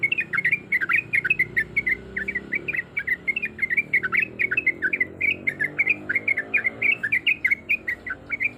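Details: Female yellow-vented bulbul in breeding condition calling a male, giving a long 'ropelan' roll. Quick, liquid chattering notes stream on steadily with a few brief breaks, over a soft low hum.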